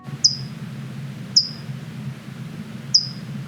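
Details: A California Towhee in California gives its repeated metallic chip calls, three sharp high chips spaced about one to one and a half seconds apart, over a low steady rumble; pairs defend territory together year-round.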